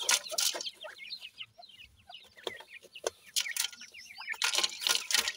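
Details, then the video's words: Francolin chicks with family members: rapid, thin, downward-slurred peeps pour out in a busy stream, broken by loud rustling bursts at the start and end. "baby teetar with family,pheasant baby voice"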